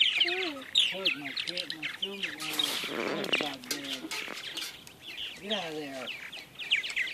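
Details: Many purple martins chirp and gurgle together in quick, overlapping bursts while flying in the morning, as a person's voice talks intermittently underneath.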